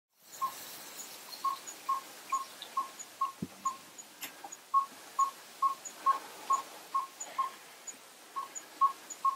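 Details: A yellow-rumped tinkerbird, a small African barbet, gives a long, monotonous series of hollow, deep-toned 'pop' notes, about two per second. A faint thud and a click come partway through.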